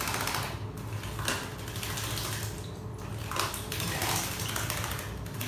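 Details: Steady splashing and running water with soft clatter fills the recording, and no animal calls are heard.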